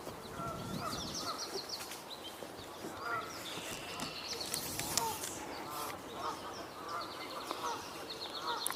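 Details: Geese give nasal, harmonic honks in short bursts while being talked to, goslings faintly audible, over high chirping songbirds including red-winged blackbird and American goldfinches and faint voices; recorded 21 May 2022.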